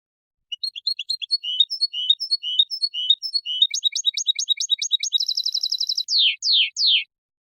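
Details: Goldfinch-linnet hybrid sings quick, high twittering phrases, then a fast buzzy trill, ending with three loud, down-slurred 'tchiu' notes; excited hybrids may give the doubled 'tchiu', blamed partly on bloodline.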